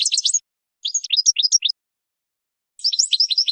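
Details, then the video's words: European goldfinch song for tutoring young birds: three short bursts of bright, high twittering, the middle one slower with separate rising chirps, the last a dense tinkling cluster. "Training Song For GOLDFINCH"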